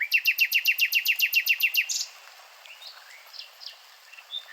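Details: Nightingale hammering out a rapid, very regular series of loud, identical chopped notes about nine per second for two seconds, then softer scattered whistles and a quiet background.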